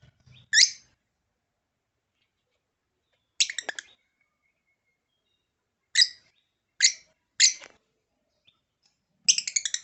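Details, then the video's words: African lovebird making piercing, harsh shrieks, single or in short stuttering clusters, separated by pauses of one to three seconds, ending in a rapid rattled burst. "African Love Bird Sound"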